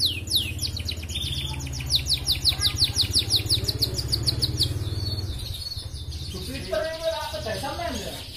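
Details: Red canary in continuous trilling song, used as a training recording to raise breeding drive so hens breed quickly; rapid high trills of repeated sweeping notes, roughly three per second, over a steady low engine hum, with a lower warbled phrase near the end.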